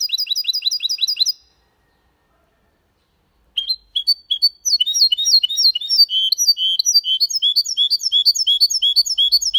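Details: Goldfinch × canary hybrid male singing in Malaga style, used to stimulate males and teach chicks: fast repeated high notes, a pause, then a long varied twittering run of sweeping chirps and trills.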